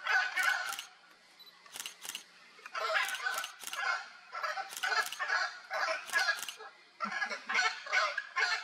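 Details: Playing wild Hyacinth Macaws in Brazil produce bouts of rough, grating squawks, several birds overlapping in irregular bursts separated by short pauses.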